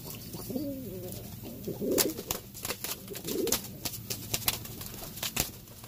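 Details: Territorial Cuban Pouter pigeon males fighting over a nest: low, throaty coos rise and fall in short bursts, the longest near the start, with sharp clicks and scuffling taps of the struggle throughout.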